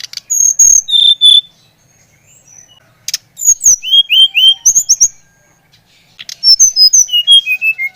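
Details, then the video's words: Brown-chested jungle flycatcher song meant to rouse another bird: long pure whistled notes followed by quick descending series of clear slurred whistles, three phrases with short silences between. "Kicauan SRDC Bali Gacor Merangsang srdc Bahan agar cepat Ngeplong Gacor"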